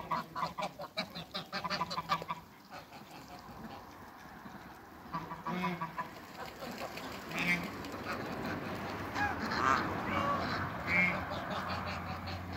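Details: African and Toulouse geese in a backyard with other waterbirds after leaving a crate; a fast string of honks fills the first two seconds, followed by scattered calls over steady background noise.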